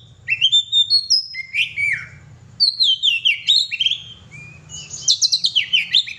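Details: Oriental magpie-robin, a pet bird, singing in a lively style: rising whistled phrases, slurred falling notes, a pause, then fast rippling runs of whistles and a final burst of rapid high chips over a faint hum.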